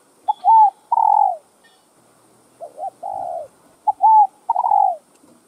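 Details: Spotted dove cooing, a recording played to captive doves to stimulate them to coo, with calling, urging and crooning styles. Three phrases, each a short clipped note and then a longer mellow coo that falls away, separated by pauses; quiet background.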